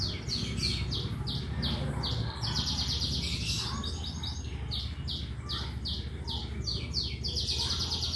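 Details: Canary singing in the rapid 'gacor' and 'ngetik' style, used as a lure to prompt other birds to sing: fast, high, buzzy trills and ticking notes repeated in quick bursts over a steady low hum.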